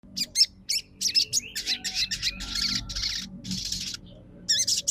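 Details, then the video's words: Crimson sunbird in the trotol song style, used as a lure to make silent sunbirds sing: rapid high, thin chirps and short trills in dense bursts, with brief gaps and faint low background hum. "PANCINGAN SOGON TROTOL MACET BUNYI LANGSUNG RESPON & NYAUT!!"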